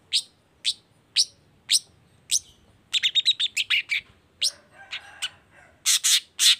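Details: Long-tailed shrike song used as a lure to make other shrikes sing: sharp, high chips about twice a second, then quick, scratchy chattering bursts with harsher notes at the end.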